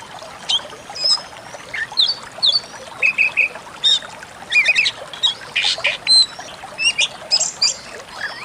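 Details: Pied bushchat song used as training audio for cage birds: sharp whistled notes and short buzzy chirps in quick, uneven bursts, with splashy, trickling background noise throughout.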